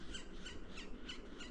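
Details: Two Yellow-bellied Sapsuckers calling back and forth overhead in farm woodland on a clear, calm spring morning (May 12, about 8 a.m., 3-12°C, after frost) give faint, nasal, down-slurred mewing calls, several in quick succession, over a steady low rumble.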